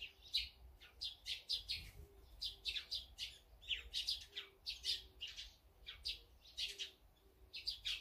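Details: Flock of feeding birds including sparrows, great tits, azure-winged magpies and brown-eared bulbuls, giving a busy run of bright, high chirps nearly every half second, with a faint low hum beneath.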